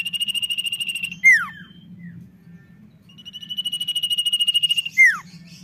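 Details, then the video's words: Common iora in full, vigorous song: twice a long, fast-pulsed high trill swells in loudness and ends in a bright, steeply falling whistle, about four seconds apart, over a faint low hum. "CIPOW GACOR SANGAR"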